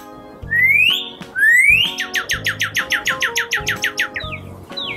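Northern Cardinal song: two loud rising whistles, then a fast run of about a dozen downslurred notes, over soft background music.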